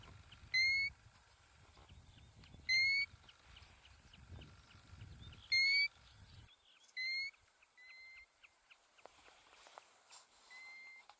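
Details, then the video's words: In Iceland, a European golden plover calls with a series of plaintive whistles, first loud and spaced roughly two seconds apart, then softer and more distant, with low wind noise early on. "Golden Plover Calling"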